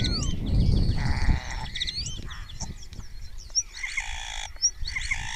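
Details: Spotless starling singing close up in Cabañeros National Park, Spain, answered by other starlings; its repertoire includes imitations of orioles and kites. Varied chatter of clicks, sliding whistles and harmonic notes, with a low rumbling noise at the start.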